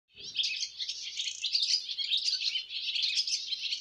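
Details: Young swallows on their first flight from the nest: a dense, unbroken chatter of high twittering notes, many overlapping chirps in a steady stream, with a soft low thump at the very start.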